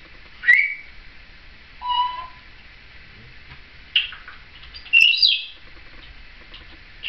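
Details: Seven-year-old female Timneh African grey parrot kept indoors as a pet, chattering with her caregiver in 2012: scattered short chirps, a low steady whistle near two seconds, and bright squeaky notes around four and five seconds, separated by quiet gaps.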